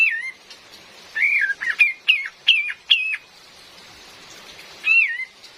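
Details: Female Cream-vented bulbul whose calls serve to lure birds in the forest, with rain: an opening slurred whistle, then a wavering note and a series of short hooked chirps, then a lone whistle after a pause.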